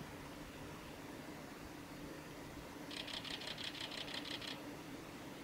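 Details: At Lake Miyagase on the Hayatogawa forest road, Japan, on 17 March 2018, a male Siberian long-tailed rosefinch gives a quick run of about ten short, high, clipped notes over a second and a half, over a steady low hum.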